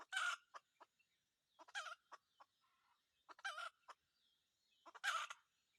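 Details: Red junglefowl cock used to lure wild junglefowl, calling four short raspy bursts about every one and a half seconds with clicking notes in between and a faint high steady tone behind.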